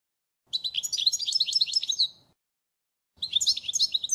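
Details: European goldfinch song offered as a flawless model for tutoring young birds: fast, high twittering phrases of tinkling chirps and trills, two bursts separated by a pause.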